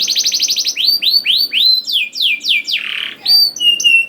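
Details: Song of a canary played to coax young canaries into song: a rapid burst of short chirps, then slower rising swept notes about three per second, a descending slurred note and thin level whistles.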